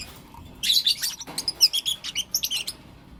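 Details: Lovebirds, blue opaline and lutino opaline, chirping in the morning: a two-second stream of quick, high, buzzy chirps in a steady rapid rhythm, then silence.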